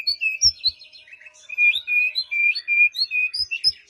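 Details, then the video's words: Song of a white-rumped shama played as a lure to get a silent bird singing, morning or evening; a fast run of clear whistled notes alternating high and low, steady and melodious throughout. "Murai Batu Diam Dengar Kicauan ini Seketika Langsung Nyaut GACOR"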